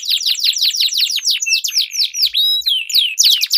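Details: Canary song for training competition birds: quick repeated downward sweeps, then a low buzzy roll with crisp whistled slurs above, finishing on sharp descending notes.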